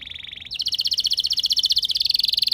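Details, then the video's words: Canary lure song meant to set other canaries singing: a steady high trill, then a fast, loud rolling trill of rapid repeated notes held for two seconds with a slight rising drift. "Cukup Putar Sebentar Saja Burung Kenari Lain Bakal Langsung Ikut Gacor Ngerol Mewah Dengan Pancingan"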